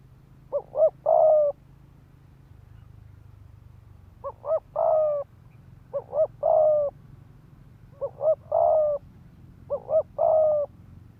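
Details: Five repeated cooing phrases from a decoy spotted dove meant to goad males into fighting. Each phrase is two clipped notes leading into a drawn-out, gently falling coo, over a low background hum.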